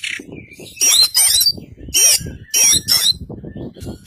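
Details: Kacer Poci, an Oriental magpie-robin of the white-breasted East Javan type, giving loud harsh squawks and slurred high whistles in four bursts, over steady low background noise.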